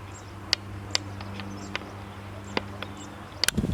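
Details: A European stonechat in Zamudio, Txorierri, Bizkaia, Spain, on 2 June 2019. It gives sharp, dry clicking 'tchak' notes, spaced irregularly about once a second, over a steady low engine-like hum.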